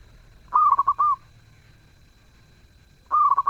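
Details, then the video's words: Melodious song of a zebra dove singing actively: two phrases about two and a half seconds apart, each a fast series of soft, rounded coos finishing on a sustained note. "Perkutut gacor suara merdu"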